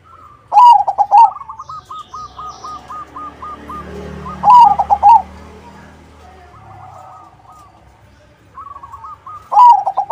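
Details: Crossbred zebra dove giving repeated lure song to coax other doves to respond. Three loud, rolling phrases of quick staccato coos come roughly every four seconds, with fainter answering coo series in between.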